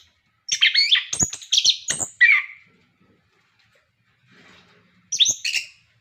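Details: Orange-headed thrush, song used to stimulate caged birds to sing: a dense burst of mixed whistles and rasping notes, a long quiet gap, then a short scratchy phrase.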